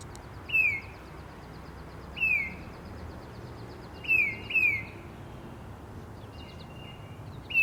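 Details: Tufted titmouse calling in the wild: clear, loud whistled notes that slide steeply downward, given singly or in a quick pair roughly every two seconds, with fainter high twittering from other birds in the background.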